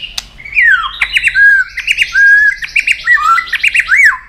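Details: A White-rumped shama, singing a long-voiced fighting song and flicking its tail at a rival, pours out a continuous, rich warble of down-slurred whistles and rolling trills over a faint high hum.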